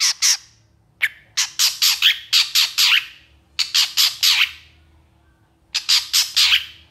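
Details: Long-tailed shrike in lively, emotional long-burst song: harsh, raspy squawking notes in quick groups of four to six, separated by brief silences, loud and scratchy.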